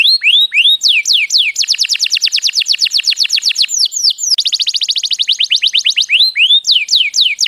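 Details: Canary song for training young canaries to sing and stimulating breeding: downslurred whistles open, then long fast trills of steeply falling notes, broken by bright swooping phrases, carrying on with a quicker, higher rattle.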